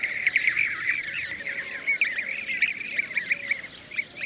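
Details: Blue-cheeked bee-eater flock in Şanlıurfa, Turkey, recorded 2016: bright rolling, slightly burry calls repeated rapidly and overlapping, forming a lively continuous chorus.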